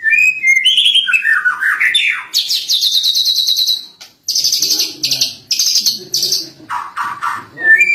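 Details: Lovebird kept and trained with recorded master songs, singing a cililin fill: slurred whistles sliding down, then fast, dry, buzzy rattling trills repeated in several bursts.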